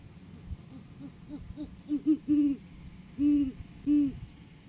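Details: Great horned owls on a live cam, 7 January 2023, during courting season as the male brings a food gift to the female: a run of quick, soft stuttered hoots builds into three louder, deep, drawn-out hoots.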